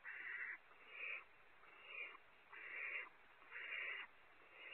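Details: Rasping, breathy screeches from barn owl owlets competing over prey on a California nest webcam at Audubon Starr Ranch; five or six drawn-out hisses follow one another roughly every second over a faint background rumble.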